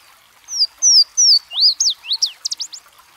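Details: Louisiana waterthrush singing beside a stream: three loud, sweet whistles slurring downward at even spacing, then a bubbling, jumbled flourish of quick rising and falling notes ending in short sharp chips.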